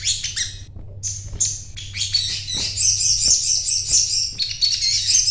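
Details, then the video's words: Little spiderhunter (sogon) in full song: a few sharp chips, then a sustained run of high, twittering, chattering notes carrying through to the end, above a low droning hum. "Burung Sogon Gacor"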